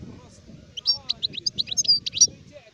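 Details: Short run of high, clipped chirps and twitters from an adult goldfinch termed a sharef, 2019, over a steady low murmur of background noise.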